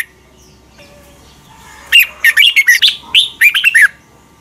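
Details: Fast morning song of a red-whiskered bulbul, used to train other bulbuls: after a quiet second and a half, a long energetic run of about ten clear, warbling notes sliding downward, in two close groups.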